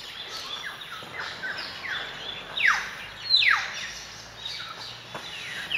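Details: Jungle Babblers (Turdoides striata striata) at Manas, Assam, India, on 24 February 2017 give harsh, squeaky downward-sliding notes, several birds overlapping in a loose chatter about once a second, over steady background hiss.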